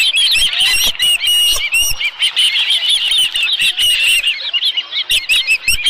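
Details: Continuous high whistled chirping from an osprey at a nest where a live fish has been brought, 11 July 2018 around midday, with overlapping notes and scattered crisp clicks.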